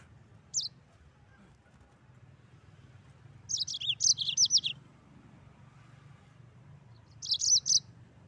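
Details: Rolling 'ngeroll' song of a Mozambique canary: one short high note, a dense phrase of rapid descending chirps after a pause, then a final brief cluster of bright twitters, with quiet low background hum between.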